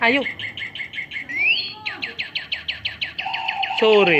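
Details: Long chatter (ngekek panjang) from a lovebird: evenly spaced sharp chirps at about four to five per second, broken by one rising whistle, then ending in a dense, scratchy burst of chatter.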